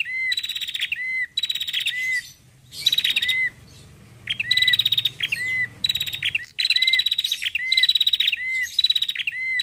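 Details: Female Bar-winged prinia calling to lure birds. Fast, harsh ticking bursts each close with a clean, curved whistle. A gap of low hum breaks the run of phrases midway.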